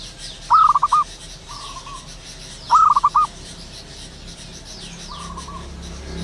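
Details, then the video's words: ['Wild zebra dove singing in the morning: two loud rippling coo phrases of quick pulses ending on a held note, some three seconds apart, with fainter answering doves and soft insect-like hiss behind.'] "burung perkutut lokal alam gacor penuh gairah"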